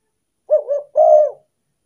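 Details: Spotted dove lure phrase aimed at wild doves: two short soft coos merging together, then a longer level coo lasting about half a second, with nothing else audible.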